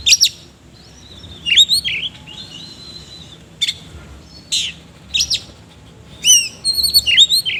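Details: Kacer, or oriental magpie-robin, singing rough filler song: scattered sharp chips and short whistled slurs separated by brief gaps, then a lively cluster of rising and falling whistles near the end.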